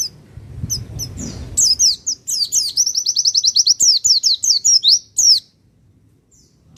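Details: Pacitan Javan white-eye song for stirring other birds: after a brief low rustle, a fast high warble of sharp chirps, including a rapid rattling series of identical notes, then silence.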